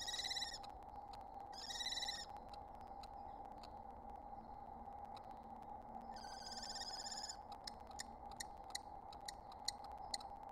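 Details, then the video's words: Wild common kestrel pair at a nest site during April egg-laying, calling to each other: whining, harmonic-rich trilled calls in three bursts, the last longest, over a steady electrical hum and scattered clicks. "Listen in on the sweet conversation between these kestrel lovebirds"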